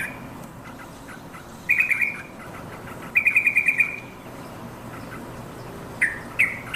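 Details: Calling yellow-vented bulbul, summoning companions, gives short bursts of quick, bright chirps in clusters separated by quiet gaps of a second or more.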